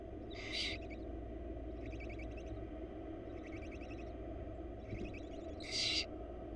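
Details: In a Florida nest box, wild baby barn owls beg while their mother brings food: a loud rasping hiss opens and closes the passage, with three rapid ticking, stuttered bursts between them, all over a constant low hum.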